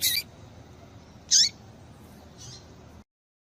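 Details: Call of a female double-collared seedeater, used to get males singing: two loud, high, clipped chirps about a second apart with a falling tail, then a fainter third note, over faint hiss.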